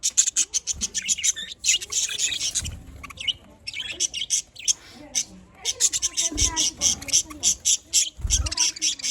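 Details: Budgies in Larkana, Sindh, cheerful and busy, keep up nonstop rapid chirping and twittering, quick high notes packed closely, with occasional low knocks in the background.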